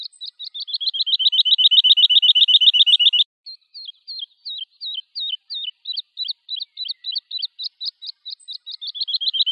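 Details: Woodlark singing a fast, even trill of about thirty descending notes, then after a pause a looser run of short zigzag whistled notes, rising toward the end into another rapid trill; quiet surroundings.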